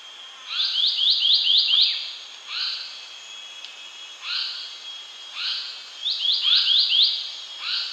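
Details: Indian paradise flycatcher, a passerine native to Asia, uttering quick series of sharp upslurred chirps in clusters of four or five, broken by single notes and short gaps over eight seconds.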